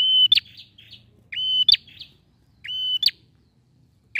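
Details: Male bar-winged prinia in full song, used to prompt a silent prinia to sing: a steady high whistle ending in a sharp buzzy click, phrases repeated about every one and a half seconds, with soft low background rumble.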